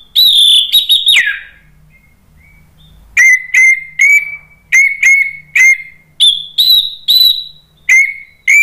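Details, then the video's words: Anis merah, the orange-headed thrush, singing to provoke other birds into replying. A quick run of high whistles slurs downward, then clear, short whistled notes with a steady middle pitch repeat about every half second. "SUARA ANIS MERAH bikin EMOSI jadi NRATAK NYAUT NGEPLONG ¦ PANCINGAN AM"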